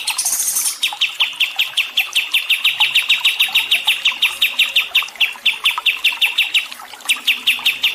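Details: Songbird chirping on a calming training recording for stressed birds with water therapy: a high hissing burst at first, then a long, regular run of bright, sharp chirps with small gaps.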